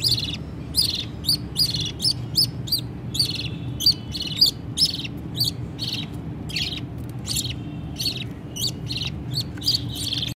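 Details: Budgie chicks calling to their parents for food while being fed by the mother: a sustained series of rasping, squeaky chirps at a steady quick pace, a few noticeably louder, constant low hum beneath.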